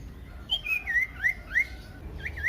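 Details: Common iora, called sirtu or cipoh, in loud lure song to set other ioras singing: a run of short slurred whistles, each swooping up or down, spaced roughly a third of a second apart.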